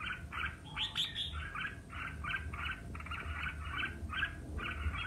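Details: Red-whiskered bulbul singing competitively: a high, sharp, rising note near the start, then evenly spaced buzzy chattering syllables about two per second, over low background rumble.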